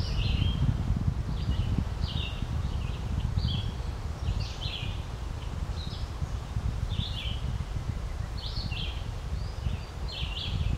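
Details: Ducks, mainly green-winged teal, at Spooner Island, Hampton, New Brunswick, give short, high, whistled peeps that drop slightly, about one a second, over steady low wind rumble.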